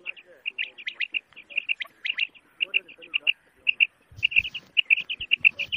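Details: Quail uttering rapid runs of sharp, high notes in twos and threes, repeated almost continuously with brief gaps.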